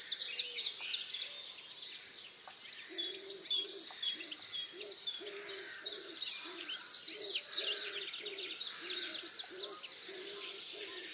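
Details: Dawn chorus at Tophill Low nature reserve, near the picnic table by the main hide, 30 March 2019. Many birds overlap in dense high twittering. From the third second, a low soft cooing note repeats steadily beneath it.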